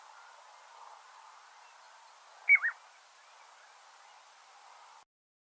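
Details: Piping plover giving its two-note high-low "peep-lo" piping call, often heard on beaches before the bird is seen: a single clear whistle dropping lower, heard once over steady low room hiss.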